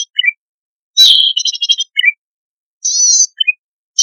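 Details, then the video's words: Zitting cisticola, wild and freshly caught, producing loud buzzy rattling bursts separated by short high chips and silent gaps. "Cici Padi Gacorrrrrr Dorrr Ampuh Untuk Pancingan Bunyi Burung Liar Baru Ditangkap|Kecici Belalang"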